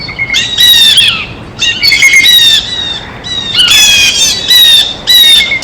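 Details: Several loud, grating squawks from blue jays eating at a feeder, each burst rich in nasal overtones, coming in uneven groups with short pauses between.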